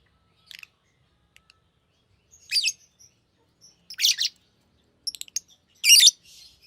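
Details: Green lovebird with scattered high, scratchy chirps, soft at first then louder buzzy bursts and quick short notes toward the end.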